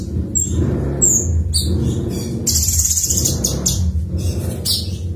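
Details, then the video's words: Cucak cungkok song in the 'ngebren' style: bright high whistles and dense chattering bursts, one prolonged trill in the middle, over constant low-pitched background noise. "tembakan suara burung cucak cungkok ngebren"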